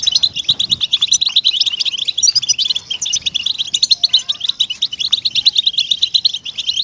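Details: Singing European goldfinch, a track meant to motivate caged goldfinches to sing: a continuous torrent of bright, quick chirps and jingling twitters, busy and unbroken throughout, with a few soft low thuds near the start.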